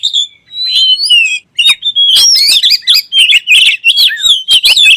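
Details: Oriental magpie-robin song heard as kacer: a few clear whistles first, then a quick run of looping, warbling notes and crisp ticks after a brief gap.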